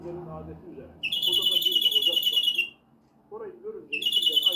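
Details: Greenfinch giving a drawn-out, harsh, rasping wheeze that lasts nearly two seconds, with a second wheeze starting at the end. A man's voice is heard softly before, between and under the calls.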